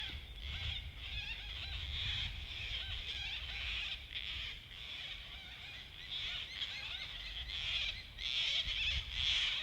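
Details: Gang-gang cockatoo in the Australian bush giving harsh, grating, creaky-door screeches in overlapping bursts, with a low rumble of wind or distant noise beneath.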